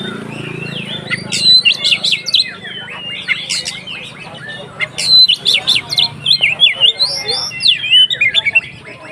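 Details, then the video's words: Kacer (Oriental magpie-robin) 'konslet ngeplong' song meant to provoke other kacer: a rich, continuous run of rapid high whistles, slurred notes and harsh chatters, with a low hum at the start. "SUARA BURUNG Kacer konslet NGEPLONG untuk PANCINGAN KACER supaya lebih EMOSI"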